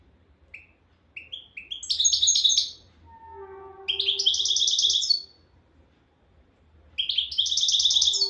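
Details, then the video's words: Souk Ahras goldfinch from Algeria sings: a few rising introductory chips lead into dense, buzzy, high twittered phrases, with three bursts in all. A sustained low tone sounds between the bursts over a faint low rumble. "غناء حسون سوق اهراس"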